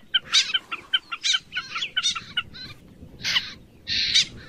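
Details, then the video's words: Common snipe calls recorded late in the season: a run of short, harsh, rasping notes, some doubled, followed by two longer scratchy bursts, with faint background hiss. "TIẾNG CHIM DẼ GIUN CUỐI VỤ"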